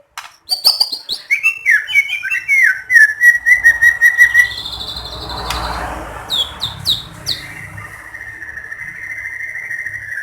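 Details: White-rumped shama song used to provoke other shamas into singing: a rapid run of whistled, warbling notes near the middle pitch range repeated about two dozen times, then a pause with low rumbling background and brief sharp high notes, ending in a sustained whistle.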